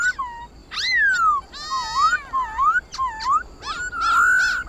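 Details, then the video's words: White-cheeked laughingthrush singing in the forest style meant to spark song in captive birds: varied whistled phrases, slurred dips and rises, harsh buzzy bursts between them, ending in a long sustained note. "Khướu Hót giọng rừng"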